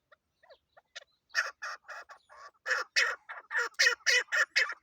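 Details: Female chukar used as a hunting lure starts with a few soft, sparse clucks, then breaks into loud, rapid, rasping chuk-chuk notes that speed up and grow stronger toward the end.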